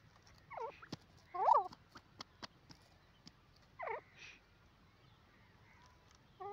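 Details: A pair of grey francolins calls in a few loud, hoarse, rising-and-falling notes, the strongest early on, with sharp clicks scattered between the calls.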